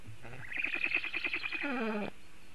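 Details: Nest-defending black stork on a Latvian webcam, 27 July 2018 in the morning, with a raptor around: a fast train of nasal, harmonic pulses lasting about two seconds, dropping in pitch at the end, against low background hiss.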